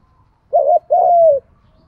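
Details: A single spotted dove coo from a recording for getting male and female doves to call: a rapid doubled note, then a long mellow note sinking gently in pitch, over a faint low rumble.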